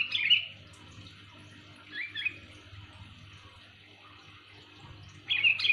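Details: Sooty-headed bulbul calling loudly for luring: three short bursts of bright, slurred whistled notes, at the start, after two seconds and near the end, with quiet gaps and a faint low hum.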